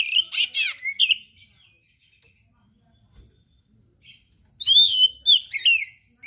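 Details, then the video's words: Oriental magpie-robin singing in gacor style: an opening run of buzzy trilled notes, a long near-silent pause with faint clicks, then bright whistled phrases returning. "KACER GACOR SPECIAL FULL ISIAN MATERI LANGKA"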